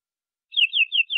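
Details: Local Indonesian canary, described as a genuine forest bird with a full, richly varied song, gives three clear whistled notes, each sliding downward, in quick succession after a half-second of silence. The background is quiet.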